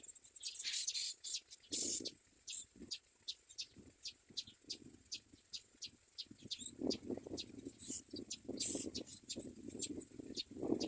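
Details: Common mynas perched in a tree while feeding their young: sharp, high chirps repeated rapidly, about two to three each second, with a few louder harsh bursts, over low rumbling background noise.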